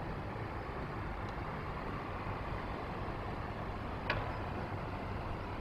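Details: Steady low traffic rumble with one brief sharp click midway and no animal voice.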